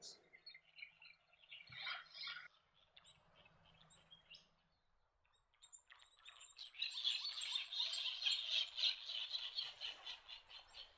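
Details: White terns resting in Norfolk Island pines on the western side of Lord Howe Island give high, buzzy chattering calls, first in short scattered bursts, then a dense, rapid overlapping chorus from several birds.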